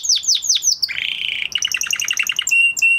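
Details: Male canary after its moulting period delivers quick falling whistles, a harsh buzzy roll, a stream of rapid repeated notes, and two clear flat whistles at the end.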